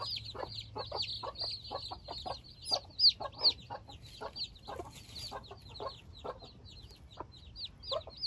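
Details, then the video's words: Silkie chicks, newly hatched and outside for the first time among four hens and 24 chicks: continuous shrill, arched peeping from many chicks, interspersed with brief mid-pitched hen clucks, some louder bursts near the middle. "Pasgeboren zijdehoen kuikens voor het eerst buiten."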